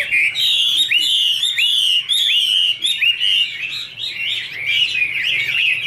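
A female Chinese hwamei pours out a loud, rapid stream of rich slurred whistles and chattering phrases, while a male sings more softly behind her.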